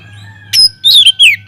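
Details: Caged Oriental magpie-robin in a flight aviary, in full song as a lure for other birds: a faint held tone, then sharp high whistles and a clear descending whistled slur, with a constant low electrical hum.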